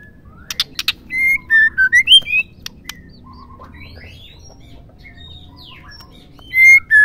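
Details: Female white-rumped shama call, used to stimulate males into singing: a few sharp clicks, then a quick run of five clear whistled notes rising and falling, a quiet pause with faint softer notes, and two more loud whistles at the end.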